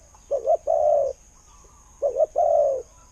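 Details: Two low coo phrases from a decoy spotted dove with a good voice, each a brief stuttered double note and then a longer, smooth, slightly falling coo.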